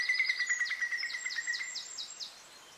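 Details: Eurasian Whimbrel (Numenius phaeopus phaeopus) at Quiberon, France, in April 2023 gives a quick run of about seven high, whistled notes, evenly spaced and slightly falling, over a steady thin tone.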